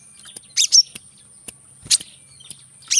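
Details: Brown-throated sunbird (kolibri kelapa) in lively rapid-fire song, played to stimulate birds reluctant to sing: sharp, very high chirps in short bursts with brief gaps, over a faint steady high whine.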